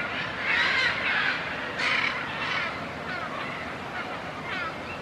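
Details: Harsh, raspy squawks from Military macaws at Suaz de Guadalupe, Querétaro, Mexico, in migration season. The birds are part of a community-monitored population. Calls come in uneven bursts, the loudest in the first two seconds, over constant background hiss.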